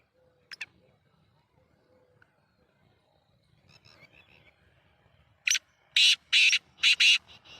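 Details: Sheedi nasal kala teetar, a black francolin, gives its rasping call late on: five loud grating notes, short, long, long, short, long, then a faint tail note, after a quiet stretch with soft distant chirps and a brief click.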